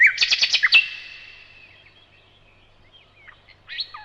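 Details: Nightingale delivering a burst of loud rapid chirps, then quiet thin squeaks and a short rising phrase at the end.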